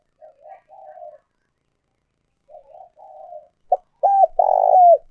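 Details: Cooing of an old forest decoy spotted dove, played to lure wild doves into traps: two soft rolling murmured phrases with a gap, then a brief note and loud held coos, the final one long and rough.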